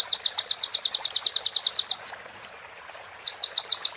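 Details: Crimson sunbird (konin) in a clear recording for training other birds: a quick series of sharp, high ticking notes, a pause with two thin whistled slurs, then the ticking resumes.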